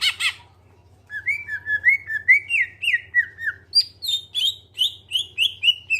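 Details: Greater green leafbird song used as a lure to prompt other birds to sing: harsh opening notes, then clear whistled phrases repeated about twice per second, stepping higher, with a low steady hum underneath.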